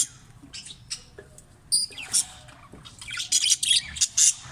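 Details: Green budgerigars kept in a breeding cage give thin, high chirps and scratchy squawks in quick, irregular bursts, growing busier and denser toward the end.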